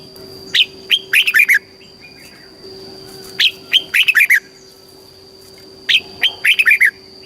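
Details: Red-whiskered bulbul from Thailand, caged, southern master style, sung to rouse birds and train young ones. Three matching phrases of six lively, slurred whistled notes come about every 2.5 seconds, with a steady high whine behind.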